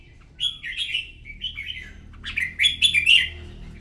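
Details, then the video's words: Morning contest song of a red-whiskered bulbul: two lively whistled phrases, the first rolling and slurred, the second louder and richer with sharp rapid notes near its end, over a quiet low background hum. "Chào mào hót đấu buổi sáng kích chim hót đấu căng lửa"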